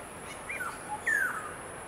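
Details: Black-hooded oriole calling at Siliguri, West Bengal, India, on 12 June 2021, gives two brief, clear whistled notes, each sliding downward, about half a second apart, over a steady background hiss.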